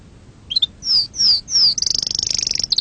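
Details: Canary song: a short chirp, three loud down-slurred whistles, then a quick high trill of repeated notes.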